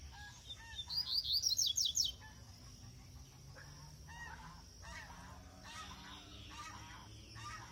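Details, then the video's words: Double-collared seedeater (coleiro) fed on brachiaria seed, used to fire up other seedeaters: a loud, fast burst of high, sharp repeated notes for about a second, then softer scattered lower chirps over steady background hiss. "coleiro 25 na semente braquiária excelente pra fogueira o seu coleiro ou papa-capin"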